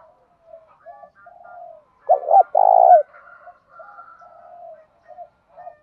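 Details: Spotted dove used as a decoy, its provincial-style voice meant to incite fighting: a single strong phrase of short coos and a long low coo, surrounded by faint quieter cooing from other doves.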